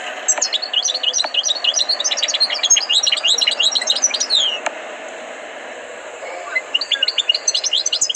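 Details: European goldfinch, a tutored singer, in North Africa (Tunisia, Libya, Morocco, Algeria named): a lively run of quick, twittering, rising and falling notes for about four seconds, a short pause, then more bright twittering at the end.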